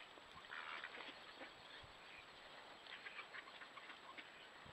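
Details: Urban mallard ducks wintering in the Duluth Superior area, roosting on Lake Superior and visiting winter feeders, caught by trail cam: a short burst of rough quacking early on, then softer scattered calls over steady hiss and a faint high whine.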